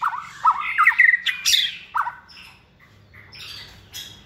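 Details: Second-season caged White-rumped shama, hand-reared and bred for contest singing. It gives harsh scratchy notes mixed with short whistled slurs, then goes quieter with faint rasping sounds.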